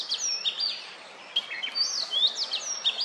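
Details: Perched on a stump, an Oriental magpie-robin calls out to females for mating: bright, high whistled phrases with quick upward and downward sweeps, several notes per second, over light background noise.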